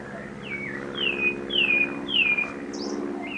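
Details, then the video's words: In a city house's backyard, a sabiá thrush sings a run of four bright, downward-slurred whistles at an even pace over a steady low hum. "SABIÁ CANTANDO NO QUINTAL - BIRD (SABIÁ) SINGING IN MY HOUSE"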